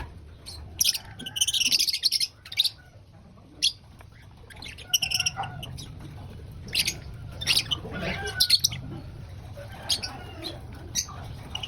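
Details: Lovebirds at breakfast while eating: sharp high chirps and squawks in scattered bursts, some clustered, over a low steady background hum.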